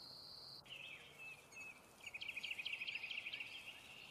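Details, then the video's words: An American kestrel eating prey gives a quick run of sharp, high klee notes, about a dozen in under two seconds, over a steady high insect-like hiss. "American kestrel call sound, eating prey"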